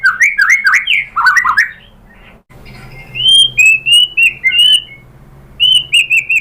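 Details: Shama lure song used to make other white-rumped shamas reply, with a burst of rich warbled slurs, a brief pause, then clear high whistled notes repeated in a fast series.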